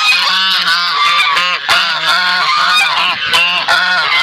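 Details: Brown Sebastopol goose with its goslings, a noisy family group; harsh, nasal, harmonic honks follow one another almost without pause, some rising at the end, roughly one every second or two.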